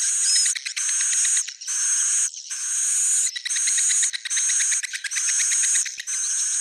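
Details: Suara inap, the edible-nest swiftlet roosting call played to draw swiftlets in: steady harsh buzzing bursts with a high whistled tone and fine ticking clicks, repeated roughly once a second with brief pauses.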